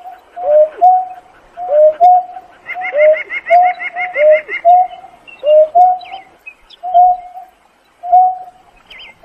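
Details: Painted-snipe calling its flock with steady, mellow hoots. Each hoot is followed by a sliding, downturned note, repeated about once a second. A rapid burst of higher, stacked chirps overlaps midway.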